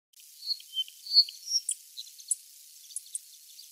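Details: On Yonaguni Island, a Forest Wagtail walking along tree branches, which is unusual for it, gives thin, high, sharp call notes, four in quick succession over about a second, with fainter ticking notes between them.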